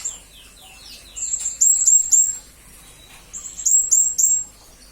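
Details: Serindit, the blue-crowned hanging parrot, recorded as training material for magpie-robins and green leafbirds: two quick runs of piercing high notes, each run of three to four sharp downslurred chips, with a softer lower twitter at the start.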